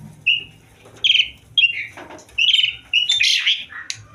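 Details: Asian pied starling in breeding condition: a series of short whistled and slurred notes with harsh chattering phrases, each burst lasting under half a second, separated by brief pauses.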